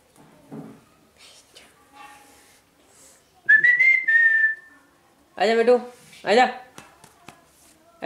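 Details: Pet parrot imitating the words 'mummy' and 'papa' indoors: a clear rising whistle, then two harsh, voice-like harmonic bursts a second apart, with soft background music and faint clicks.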